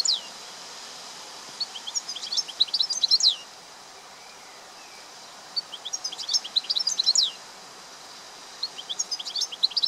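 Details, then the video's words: Wild European goldfinch singing in nature: three bursts of bright, tinkling, twittering notes, each lasting about two seconds with quiet gaps between them, over a steady soft hiss of background noise. "Wild goldfinch in nature, Amazing singing !!"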